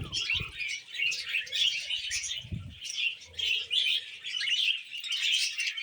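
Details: Pet budgies chattering over a meal of vegetables: overlapping high warbles and chirps rise and fall in waves, with faint thumps from feeding in the background.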